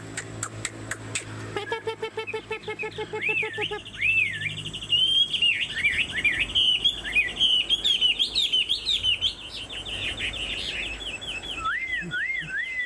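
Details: Hwamei with a fanned tail and tall posture, kept in the songbird hobby, delivering loud clear whistled phrases that loop up and down in quick rising-falling slurs, preceded by a short burst of stacked tonal notes; faint background hum throughout.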